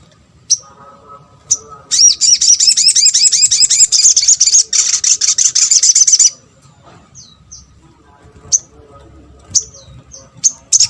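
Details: Little spiderhunter calling to provoke other spiderhunters to respond: scattered sharp high chips, then a fast, dense buzzy trill of rapid repeated notes lasting about four seconds, followed by more isolated chips and short downslurred notes.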